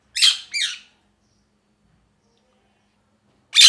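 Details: Two rough, grating parrot squawks close together, then a long silence before a third harsh screech cuts in at the end.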